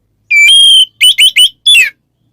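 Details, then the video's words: Oriental magpie-robin calling a rival in ngeplong style: one long, level, piercing whistle, then three short rising notes in quick succession and a final falling note. "suara burung Kacer NGEPLONG memanggil lawan bikin Kacer lain EMOSI"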